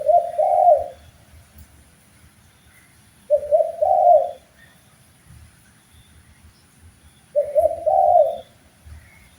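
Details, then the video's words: Spotted dove cooing for a bird-training master track: low, mellow multi-note phrases rolling up then down, three phrases about three seconds apart, with quiet low rumble between them. "MASTERAN BUAT BURUNG TEKUKUR SUPAYA GAC0R DAN BERGAIR4H‼️Wajib Respon"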